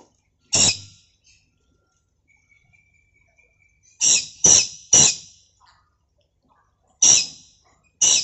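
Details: Captive lory from a collection giving loud, harsh, broadband screeches in short bursts: one, then a quick cluster of three, then two more, separated by near silence.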